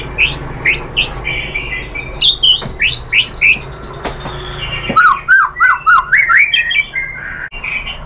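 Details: White-rumped shama song used as a lure to provoke singing: loud, varied whistled phrases between 2 and 4k, rapid chattering notes and rising slurs, a dense burst of bright repeated notes near the middle, faint indoor hum beneath.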